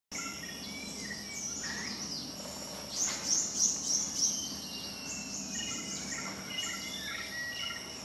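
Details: A male Buff-necked woodpecker, one of a pair in a morning bird wave at Congkak Recreation Park, Selangor, on 6 August 2010, gives a quick burst of five thin, very high notes; other small birds chirp lower over a steady insect buzz.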